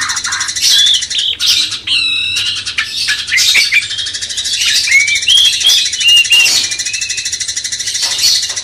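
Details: Cucak cungkok bulbul singing as master material for a magpie-robin, a varied phrase of sharp whistles, a buzzy stacked note near two seconds, then flowing slurred whistles, with dense high hiss throughout.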